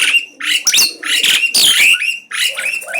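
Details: Asian pied starling singing nonstop and boldly, unafraid and challenging: harsh, buzzy, broadband chattering notes in quick bursts with brief gaps, some sliding whistled elements mixed in.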